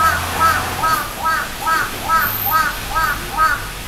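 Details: Large-billed crow calling in a cute voice in a city: a series of short, soft, nasal notes with a slight rising-falling inflection, repeated about twice a second, over steady urban background noise.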